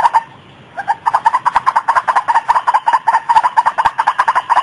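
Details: Daytime lure recording of a white-breasted waterhen: a fast, steady run of clipped, harsh notes around one kilohertz, roughly two or three per second, continuing without a break after a short opening gap.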